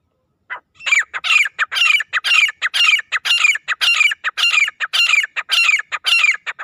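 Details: Desi grey francolin giving a loud, continuous run of harsh, high, rhythmic notes grouped in repeated phrases, nearly two a second, steady for six seconds with no other sounds.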